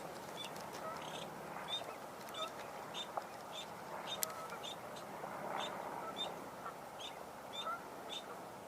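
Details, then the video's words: A mallard among other ducks in a grassy marsh gives a run of short, clipped calls about twice a second over a steady marsh hiss, with a few other birds faintly behind. "You just heard a mallard."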